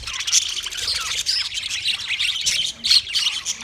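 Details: Short burst of mating chatter from white male budgies: loud, harsh squawks and quick bright chirps crowding together, with a brief sharp squeal near the end.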